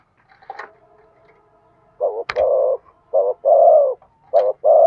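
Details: Spotted dove coos meant to urge a decoy bird into singing. A faint hum and a sharp click come first, then paired low coos, each a short burst followed by a longer drawn-out note, repeated three times.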